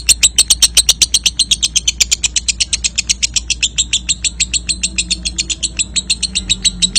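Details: Lovebird ngekek, played so young lovebirds trill often with short pauses: an insistent fast rattle of sharp, high ticks that slows slightly midway, over steady low hum.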